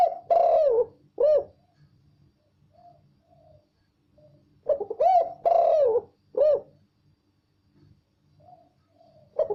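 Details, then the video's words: Spotted dove calling clearly and loudly: two groups of deep, throaty coos, each a burst of several rounded notes followed by softer short coos, in a quiet setting. "Tekukur suara jelas dan keras"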